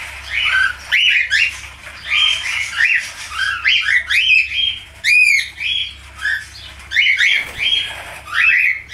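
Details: Falk budgerigar singing a steady stream of bright, squeaky chattering phrases, each burst a second or less, with quick whistled upsweeps mixed among scratchy notes.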